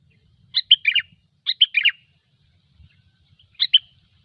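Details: Sooty-headed bulbul singing in the gecor style, a recording used as a pikat lure: three bursts of short, bubbly whistled notes around one second apart, each a quick tumbling phrase of three to four notes, over a quiet low rumble.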